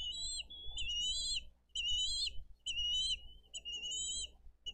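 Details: Wild bald eagles feeding eaglets on fish at a Dade County nest, recorded by nest cam on 22 April 2023. Piercing whistled notes that waver and slide, repeated roughly once a second in short bursts, with a faint low rumble behind.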